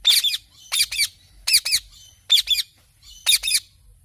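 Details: Parrot chirping: harsh squawky double notes with broad buzzy texture, repeated in five bursts about every three-quarters of a second, quiet between calls.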